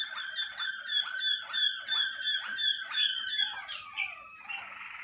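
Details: Caged Malinois Waterslager canary warming up in the singing cabin on early outings: a rhythmic run of bubbling, water-like notes repeated about three times per second, each dipping in pitch, then breaking into a smoother gliding phrase.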